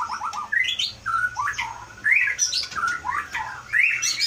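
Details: Caged white-rumped shama, Aceh Leuser origin, praised for copying surrounding sounds, gives a varied song of rising and falling whistled slurs, rough squawky notes and short fast phrases with brief pauses between.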